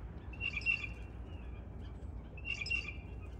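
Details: Backyard Blue Jays at dawn, part of a family of six waiting for thrown peanuts: two loud, buzzy, harsh calls about two seconds apart against steady low background noise.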